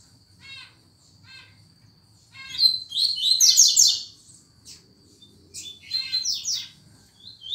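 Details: Fast tuituí song of a double-collared seedeater: a few soft ticking notes lead into loud, rapid runs of buzzy, sharply slurred high notes, repeated in two bursts over a faint constant high whine.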